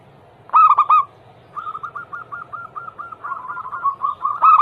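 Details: Zebra dove song used to coax other doves into singing: a loud cluster of low coos opens, then a long soft series of steady repeated notes, and a second loud burst closes the stretch.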